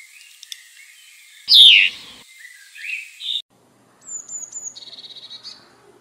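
Blue tit song: thin, very high notes, then a fast, buzzy trill of rapidly repeated notes. Earlier, scratchy chattering calls and a loud burst.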